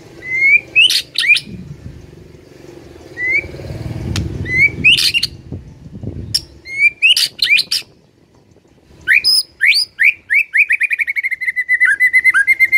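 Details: White-rumped shama song, used to rouse a silent shama: rising whistles and sharp chips in phrases with gaps, ending in a rapid trill of repeated clear notes.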